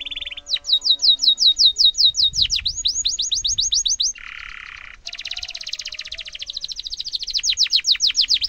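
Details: Canary pouring out a long rolling tutor song for young birds: rapid repeated chips, a low buzzy churr, then an extended fast high trill rising into swept notes, light background noise.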